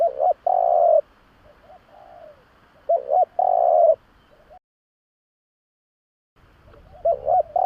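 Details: Lure call of a spotted dove for drawing in other doves: paired brief hoots and a drawn-out coo, with a softer descending coo between phrases, then a pause before the phrase starts again.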